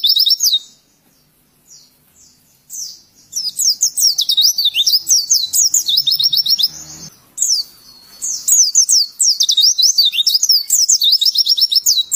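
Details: Oriental white-eye (Zosterops palpebrosus), song: used as a model song to train other birds.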